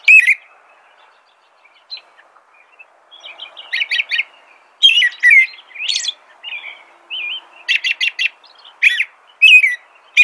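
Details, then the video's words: American robin singing: clear whistled phrases around mid-high pitch in short bursts, with quieter twittering notes between and a faint background hiss. "American Robin Song.(Turdus migratorius)."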